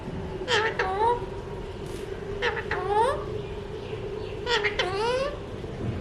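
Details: Talking Alexandrine parakeet, a mutation-coloured pet parrot, repeats a short speech-like phrase three times about two seconds apart, each a burst of clicky onsets followed by rising, voice-like harmonic glides over a steady background hum.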